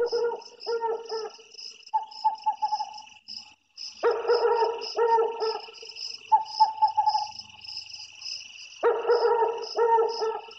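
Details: Forest owl calling: groups of three or four quick, stuttering, harmonic notes repeat in bursts several seconds apart. A steady, shrill chorus of insects runs throughout.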